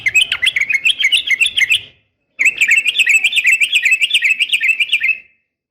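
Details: Fighting call of a female yellow-vented bulbul calling males: two long runs of fast, warbling, buzzy chatter, about three to four notes a second, with a brief gap between them.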